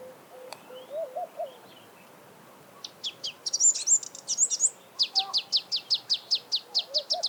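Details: Sunbird singing in its natural habitat: a fast run of sharp, very high chirps, then a steady train of about fifteen bright, evenly spaced notes. Faint lower warbled whistles come from another bird early on.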